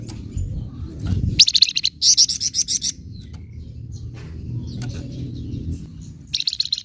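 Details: Scarlet minivet giving its 'nyecret' chatter, used to provoke untrained birds: short bursts of rapid, harsh, high notes at about one and a half, two to three and six seconds, over a low steady background rumble.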